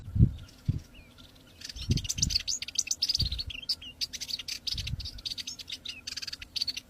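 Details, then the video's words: Several birds chirping in a dense, high twittering chorus, with a few low thumps near the start and a soft steady background tone. "Bird Chirps | Stress Relief | Relaxing Birds Sounds"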